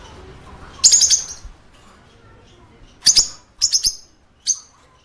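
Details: Chirping parakeet in a pet shop: a buzzy burst of high notes, a pause of about two seconds, then a quick cluster of three sharp chirps and one final short note, over a faint background hum.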